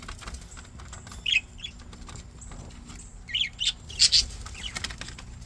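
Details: Healthy pet budgerigars in a happy mood give scattered high chirps, with a double chirp near the middle and a louder cluster of sharp tweets toward the end. Light tapping and rustling sound underneath.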